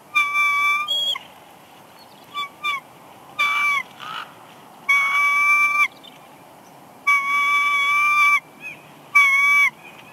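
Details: Wild female bald eagle, Big Bear Lake, California, March 2021, whining at the nest while her mate delivers a headless fish; loud, level whistled notes, each held about a second, repeated with short gaps and brief lower-pitched slurred notes between.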